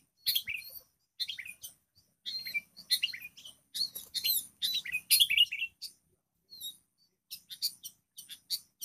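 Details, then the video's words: Sooty-headed bulbul, a wild bird battling a decoy that shrieks under the pressure: repeated loud, scratchy chattering bursts. They come fast for about six seconds, then give way to sparser sharp clicks and chips. "kutilang Liar ini LUAR BIASA, Pikat Ngampun"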